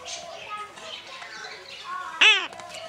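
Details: Pet male Red-sided Eclectus parrot being tickled by its owner at home. A soft murmur of voice-like chatter runs throughout, then a sudden loud arched squawk with stacked harmonics, followed by a couple of short sharp notes.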